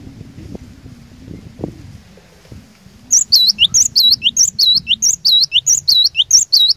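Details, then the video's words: A cinereous tit (glatik batu) kept to provoke other tits into singing stays silent for three seconds of low rumbling, then bursts into quick, high, repeated two-note phrases. "Kicauan Glatik Batu Pikat Gacor Door, Cari LAWAN...!!! Dijamin Cepat Bikin Glatik Lain Bunyi Gacor"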